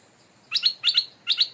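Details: Caged decoy stripe-throated bulbul, raised without ever entering the forest, taken back to its birthplace where a new resident bird now holds the area. Three bright, sharp paired chirps, each a quick double note, against a quiet background.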